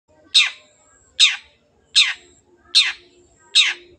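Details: Long-tailed shrike in lively voice, used as a lure to get silent birds singing: five loud, harsh, scratchy notes, each dropping sharply in pitch, repeated roughly every 0.8 seconds against a quiet background.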